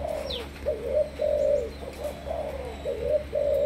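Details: Decoy spotted dove of Malaysian origin cooing in quick succession: rounded, mellow notes with longer held coos, plus a brief high descending whistle from another bird near the start.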